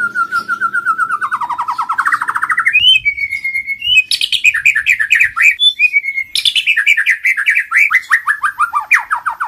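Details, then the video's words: White-rumped shama training song in kéo thuốc lào and giọng dây styles, opening with a long, fast, descending rattle. Rising whistles and a string of quick, sweeping, downward-slurred notes follow, all loud and rich. "chòe lửa hót hay ❣ kéo thuốc lào ❣ hót giọng dây❣ để luyện giọng mỗi ngày"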